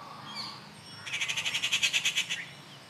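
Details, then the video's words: Rufous treepie calling at Kattupadi on June 19, 2021: a harsh, grating rattle of about fourteen rapid pulses lasting just over a second, preceded by faint thin chirps against a quiet outdoor background. "The Call of the rufous treepie"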